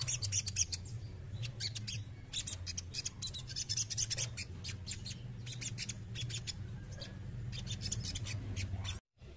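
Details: Male crested jay chattering almost continuously in rapid, rasping click-rattles that stop abruptly just before the end, with a low droning hum throughout.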